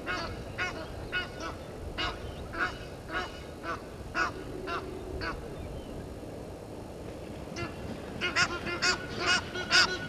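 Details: Egyptian geese at Gowrie dam waterhole, Djuma Game Reserve, Sabi Sand Wildtuin, South Africa, disputing with intruder geese at 17:08 on 10/04/21; harsh honks repeated about twice a second, with a short pause before a louder final burst.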